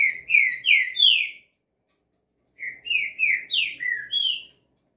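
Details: Two whistled phrases from a green-winged saltator (trinca-ferro): three loud slurred notes, a pause of about a second, then five notes ending in a short rising whistle.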